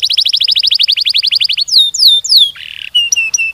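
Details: Domestic canary singing a long, fast rolling song: a rapid train of about twenty descending notes, then several sweeping whistled slides, a short buzzy rasp, and high thin chirps; loud and clean, no other sounds.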